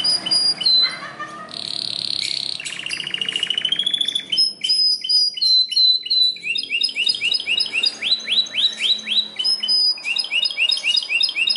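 A Belgian canary sings loud, high and fast: rolling trills, buzzy runs and rapid repeated chip series, switching phrases every second or two.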